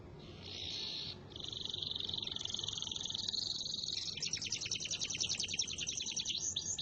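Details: Canary singing a long roll, a sustained high buzzy trill that runs continuously for several seconds, shifting into faster pulsed rattling notes toward the end, over light background noise.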